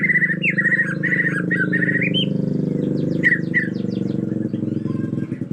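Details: White-rumped shama from Borneo, agitated, in the forest: repeated clear whistled phrases with quick up-and-down slurs over a strong, constant low rumble, then a few sharp high notes.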